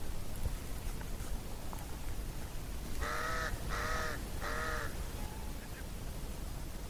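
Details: Somali crow uttering a run of three rough, nasal caws spaced roughly three quarters of a second apart, against steady low background noise.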